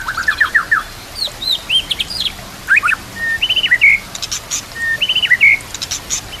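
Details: White-rumped shama song used as a master recording to train other shamas, set against nature sounds and trickling water: varied whistled and slurred phrases, some rising, others in quick repeated notes, over a steady hiss.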